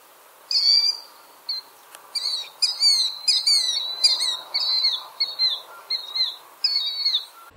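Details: Killdeer, an open-field bird also found in urban areas, gives shrill, high, ringing notes with downward slurs, about a dozen in quick, uneven succession, echoing its 'kill-deer' name.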